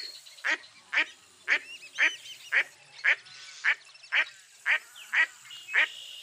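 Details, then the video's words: Mottled duck quacking in a loose series of coarse, rasping notes a little under two per second, with faint higher chatter in the background. "Mottled Duck Call"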